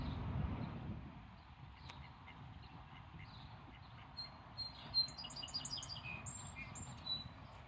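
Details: Mallard (Anas platyrhynchos) ducklings nervously passing a cameraman on 5/12/2024 give thin, high peeps in quick overlapping bursts over the last few seconds, above a steady low rumble of wind or water.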